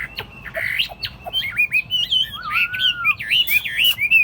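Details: Chinese hwamei, a tame bird in a hand-carried cage on a table, delivers a rich, rapid song of wavering, looping whistles, with one long low slurred note in the middle.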